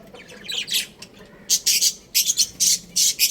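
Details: A little rooster on a roof gives sharp, very high chirps. After a faint start, loud bursts come in quick, uneven clusters.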